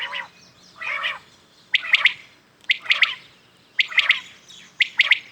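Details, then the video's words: Morning calling of common quails, opening with two low nasal notes, then four crisp three-pulse phrases spaced about one second apart, high and clipped. "Today common quails calling"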